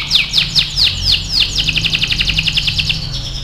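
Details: Singing AF canary used as a training model for other canaries: a series of down-slurred whistled notes about every quarter second, then a fast, even trill of short repeated notes, loud and clear over a low background hum.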